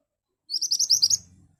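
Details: Ashy tailorbird song, lively and sharp, used as a lure to make other birds answer: a fast run of about seven high, clipped chirping notes at an even pace, ending in a softer trailing note. No other clear sounds.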